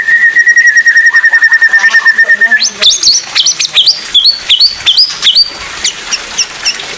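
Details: Oriental magpie-robin song, a training recording for other magpie-robins to learn from: a long steady whistled note with fast repeated pulses, then loud varied rising and falling whistled phrases in quick succession.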